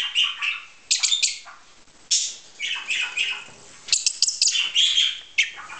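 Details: Pet budgerigars, heard but not seen, chatter in bright, scratchy bursts of warbled chirps and squeaks in clusters every second or so, during a hand-reared young starling's first outing on its eighth day.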